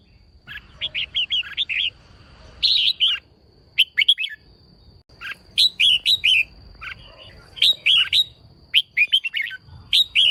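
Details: Female red-whiskered bulbul singing to excite males: bursts of bright, chattering warbled notes, each phrase a quick cluster of rising and falling whistles, repeated every second or so with short pauses, a faint steady high tone running underneath throughout.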